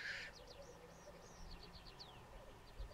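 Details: Displaying black grouse on the Sallandse Heuvelrug, Netherlands. A short hissing burst opens, followed by a quiet low burble, while a series of quick rising and falling whistled notes from another bird dominates the upper range.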